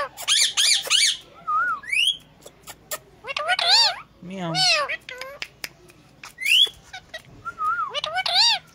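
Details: Indian ringneck parakeets, pet talking parrots indoors, imitating a cat's meow: repeated rising-and-falling harmonic meows mixed with sharp squawks, short whistles and clicks.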